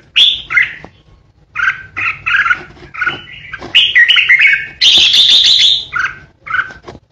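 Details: Red-whiskered bulbul, a decoy bird, singing ché: clipped whistled phrases in quick succession building to a long harsh grating burst, followed by two short lilting notes.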